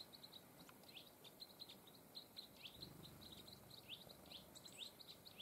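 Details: Hawfinch in the Sierra de las Cabras nature reserve, Castilla-La Mancha, Spain, recorded on a Panasonic HC-V180 camcorder: a quick string of short, sharp, high ticking chirps, several each second, over a soft background hiss.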